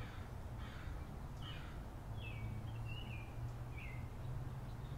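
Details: Backyard birds give short, slurred chirping notes, a few clustered phrases in quick succession, against a constant low hum and background noise.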